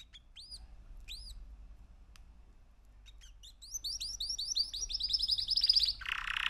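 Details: A three-month-old male canary sings: a few slurred upward whistles, then a fast rolling trill of repeated high notes, ending in a harsh buzzy burst.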